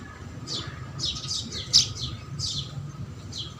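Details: House sparrows eating provided food, soft chirps in small clusters, one sharp loud chirp standing out midway, over steady low background noise.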